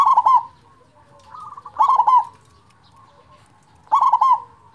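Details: Large-voiced local zebra dove, used to make silent doves sing: three loud, fast-stuttering coo phrases about two seconds apart, with a faint trilled coo and soft purring between them.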